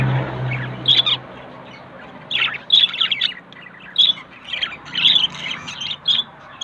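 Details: Budgerigar pair, yellow male and blue female, pairing and looking for a nest: short bursts of bright, scratchy chirps about a second apart, with quiet gaps and a faint low hum early on.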